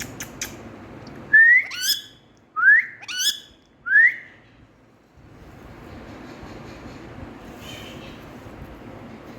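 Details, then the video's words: Hand-tame Indian ringneck parakeet saying "Mithu Beti": three short rising whistled syllables, each sweeping upward with bright overtones, about one per second, then quiet hiss of the room. "Ringneck Indian🥀Super Cute Parrot🎊 Saying Mithu Bety"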